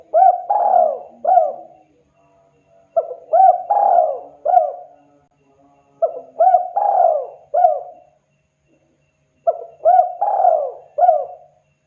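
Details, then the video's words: Spotted dove, a lively caller, calling to other birds: soft mellow coos in repeated three-to-four-note phrases, each ending in a longer drawn-out note, phrases about every three seconds with quiet gaps between them. "Suara burung tekukur deruk derkuku Gacor memanggil TEMAN Ikutan RESPON Bunyi"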